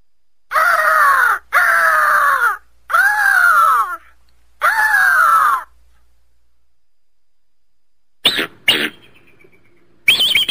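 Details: Eagle calling with four loud, hoarse screams about a second long, each falling slightly in pitch, followed by a pause and then a few short sharp bursts.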